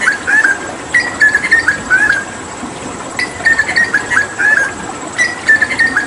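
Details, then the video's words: Hooded butcherbird from Papua, used as a song tutor for other cagebirds, repeating short bright whistled phrases roughly once per second in three clustered groups, with light clicks between. "Masteran Tembakan JAGAL PAPUA gacor"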